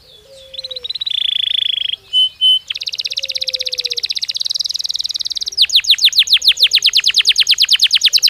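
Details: Belgian canary in natural song: a rising buzzy trill, two short clear whistles, a long dense rattling trill, then steady falling sweeps repeated about twice per second.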